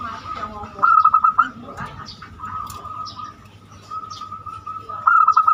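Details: Zebra dove (perkutut) of the banyumili song style, used as a lure to make other birds sing. Rapid pulsed coo phrases come about four seconds apart, with soft chirps and a low hum in between.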